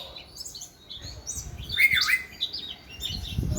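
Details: Oriental magpie-robin singing while dancing: scattered high chirps and a swooping whistle, with low thumping knocks underneath.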